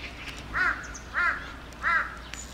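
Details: Crows from a flock of hundreds perched on power poles in a neighbourhood, with more moving together in the sky: three harsh, hoarse caws about two-thirds of a second apart over steady outdoor background noise.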